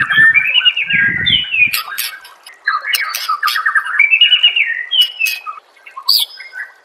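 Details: White-rumped shama song used as a master recording for training songbirds: rich, varied phrases of fast warbled notes and rising whistles, broken by sharp, harsh chattering bursts.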